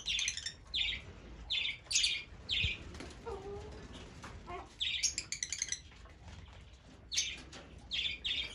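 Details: Fischer's lovebirds give bursts of shrill, harsh, high chattering chirps in quick clusters separated by short pauses, with a few softer lower notes in between.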